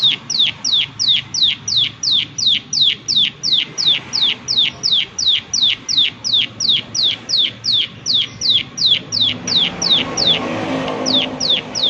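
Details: Prinia repeating its "klik klik" call nonstop, with sharp, high notes sweeping downward at a brisk, even rhythm of about three per second. A broader rustling noise rises near the end.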